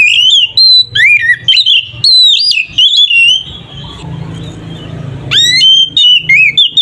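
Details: Oriental magpie-robin singing 'ngeplong' fighting song meant to provoke rival magpie-robins into emotion: rapid loud whistled phrases with sharp upslurs, a short pause of faint noise midway, then more bright whistles.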